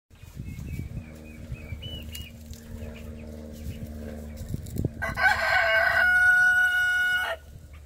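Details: Rooster crowing: one loud, long, harmonic-rich crow fills the last two and a half seconds, held steady then cut off, after a stretch of low rumbling background and faint scattered calls.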